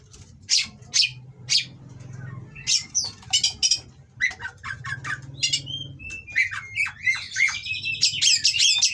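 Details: Oriental magpie-robin in mating condition, loud song with harsh material meant to provoke rivals: sharp clipped notes at first, then rapid varied whistles, buzzy rattles and rising slurs that grow denser toward the end; faint low hum underneath.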